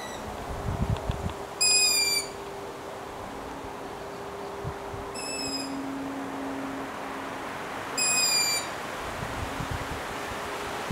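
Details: Long-eared owl chicks in Latvia on 6 July 2018 give three high, thin, squeaky whines, each about half a second long and spaced roughly three seconds apart, over a low steady hum.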